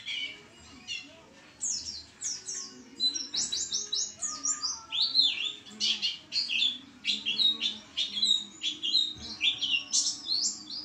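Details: Energetic white-eye singing: scattered high chirps at first, then a loud, dense torrent of sharp, sliding, high twitters that runs almost without pause.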